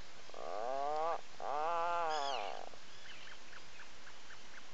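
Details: An Atlantic puffin at a nesting burrow on Seal Island National Wildlife Refuge, Maine, early morning around 06:23–07:23, gives two drawn-out, low, wavering groans about a second each, with a few faint high chirps behind.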